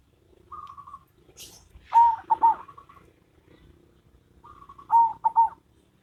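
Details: Duet between a local and a crossbred zebra dove: two phrases, each a steady humming note followed by a cluster of short, clipped coos, about three seconds apart, with a faint hiss between.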